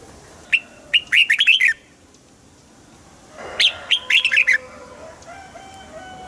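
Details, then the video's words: Red-whiskered Bulbul kept in a cage, its song used to excite caged birds: two bubbly phrases of rapid, bright notes several seconds apart, followed by faint thin whistled tones in the background. "นกปรอดหัวจุก | เสียงนกกรงหัวจุก ขวัญใจสายเบิ้ลอาชีพ ฟังแล้วคึกเหมือนเดิม นกไม่คึกห้ามฟัง"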